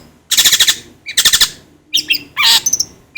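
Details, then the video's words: Long-tailed shrike (cendet or pentet) training song: rattling, buzzy trills in two bursts, then a harsh rasping note and a short high whistle, with quiet pauses between. "suara masteran BURUNG CENDet /pentet agar cepat gacor"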